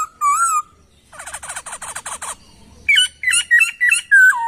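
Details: Laughingthrush training song: one wavering whistle, a rapid rattling series of harmonic clicks, then loud varied slurred whistles repeated in quick succession.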